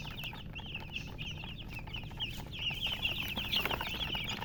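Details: Baby chicks chirping: rapid, high, downward-sliding peeps from several birds, growing louder and more insistent in the second half, with little background noise.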